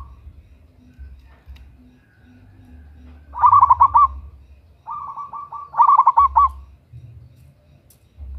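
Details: Local zebra dove, female calling to a male as a lure: two loud phrases of quick bubbling coos, the second preceded by a soft staccato trill, over low background rumble.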